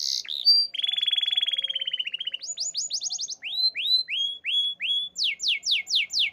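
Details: Canary song: a long fast trill, then clear repeated downslurred whistles roughly twice a second, ending in sharp rapid falling notes.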